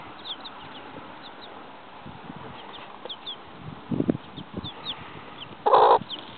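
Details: Seven chicken chicks out in a yard with their mother hen; faint, thin, downward-slurred peeps scattered throughout, soft low clucks midway, and one loud, harsh cluck near the end.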